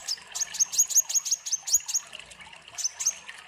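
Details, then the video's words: Sunbird song, used as a tutor for young birds: a rapid run of piercing high notes, each a quick downward flick ending in a short steady whistle, then a pause and two more notes, over a faint watery background. "Pancingan kolibri ninja gacor"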